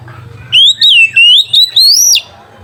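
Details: Loud ngeplong song of an oriental magpie-robin calling a rival, as a lure for untrained young birds: five ringing whistles joined in one phrase, wavering, then climbing to a high final note.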